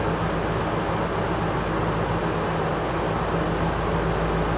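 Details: Steady low mechanical hum with broadband rumble, like passing traffic or a running fan, with no animal voices audible.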